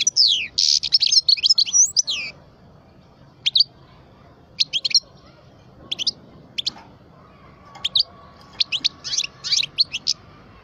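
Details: A twelve-year-old parva goldfinch opens with a rich rolling twitter of high tinkling notes, then gives scattered sharp chips and short clusters of bright notes spaced over several seconds.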